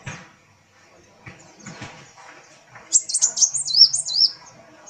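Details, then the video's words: Kolibri wulung sunbird in full song while its tail dances, giving a loud run of high, quick sweeping and warbled notes in the final two seconds after soft low thumps and faint chirps. "Kolibri Wulung Gacor"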